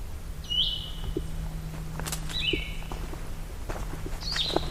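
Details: Blue-headed vireo (Vireo solitarius) on a trail at Hickory Creek Wilderness, Allegheny National Forest: sweet, slurred whistled phrases, like a sweeter red-eyed vireo, three in about four seconds with pauses, over a low hum and footsteps.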